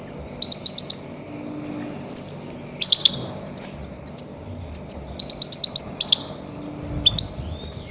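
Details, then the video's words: Loud goldfinch calling played to lure and catch grey-headed goldfinches. Bright, high tinkling notes come in quick runs of three to five, repeated throughout with short pauses, over a faint low hum. "Громкие крики щегла для ловли и охоты на Седоголового щегла"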